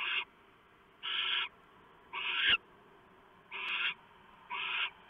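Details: Nest-box barn owls during a prey delivery by the male, with the female shredding a mouse for the owlets; long harsh rasping hisses spaced about a second apart, one punctuated by a sharp click.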